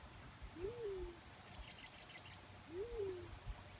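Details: Two low hollow coos from a black-chinned fruit dove, each rising and then sliding downward, spaced about two seconds apart, with a brief high chirp and soft insect noise in the background.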